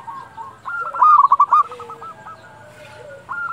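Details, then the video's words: Dusk calling of a local zebra dove. A single loud burst of rapid, bubbling hollow notes, followed by fainter coos from other doves and a quiet pause. "perkutut lokal gacor panggilan waktu senja"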